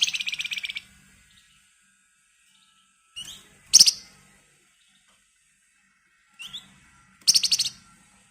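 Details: Flamboyan bird singing an excited, rapid song suited as a lure for other birds: short bursts of fast buzzy chatter, each preceded by a brief upslurred chirp, spaced roughly three to four seconds apart.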